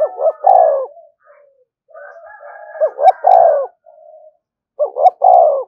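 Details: Three deep, hoarse coo phrases from a spotted dove, called to provoke other doves. Each phrase is a stuttered double note rolling into a longer descending coo, with quieter drawn-out coos in between.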